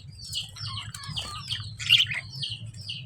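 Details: Quick descending lovebird chirps, high and thin, repeated several times a second with one louder squeaky note near the middle, over a low steady hum.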